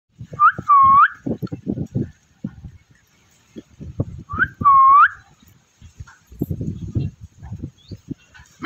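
Rose-ringed parakeet giving two loud, upslurred whistled calls about four seconds apart, over low thumping and rustling noise.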